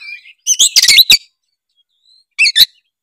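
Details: Brief Oriental magpie-robin song phrase, meant to spur other magpie-robins into singing: a soft whistle, then a loud clustered burst of bright chattering notes, a pause, and one more short sharp phrase.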